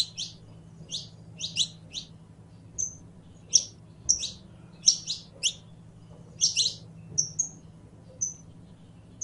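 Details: Singing criollo canary, or saffron finch: crisp high chirps grouped two to four at a time alternating with thin, level whistled notes, repeated through nine seconds above a low steady hum.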